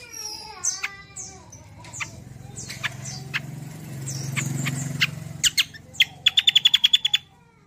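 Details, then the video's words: Rolling song of a Kecial kombo used as a lure: scattered high chirps over a low background rumble, ending in a fast, even trill of about ten rapid notes. "BURUNG KECIAL KOMBO CUCAK KOMBO ROLL TEMBAK GACOR || UNTUK PANCINGAN BUNYI BURUNG BAHAN MANTAP"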